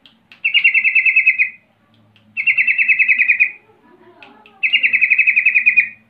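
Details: Yellow-vented bulbul calling to get other bulbuls to reply: three long, fast chattering trills of about a second each, separated by pauses of roughly a second, in a quiet setting.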